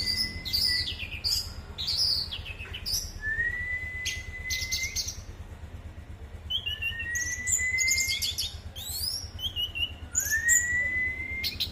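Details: Orange-headed thrush singing: long, drawn-out rising whistles alternating with short varied high chirps and twittering phrases, over a steady low engine-like hum.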